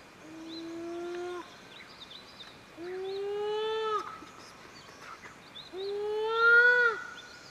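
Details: Satyr tragopan giving loud, drawn-out wailing calls: three long tonal notes of about a second and a half each, slightly rising then held level, spaced roughly three seconds apart, over faint background hiss and distant small birds.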